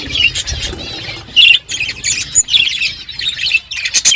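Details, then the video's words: Budgies eating and chirping: lively, bright, warbled twitters and short whistled notes that come in quick bursts, with scratchy clicks between them. "Beautiful budgies colour eating and chirping sounds"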